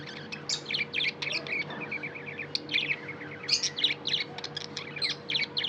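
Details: Tame budgie chatter: rapid clicky chirps and squeaky notes packed in uneven clusters, busiest toward the end, with a constant faint hum underneath.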